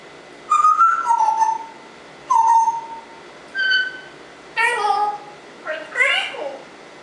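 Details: Pet African Congo grey parrot whistling and talking indoors: clear tonal whistles, a sliding note then steady held tones, followed by harsher voice-like harmonic syllables near the end, with short pauses between phrases.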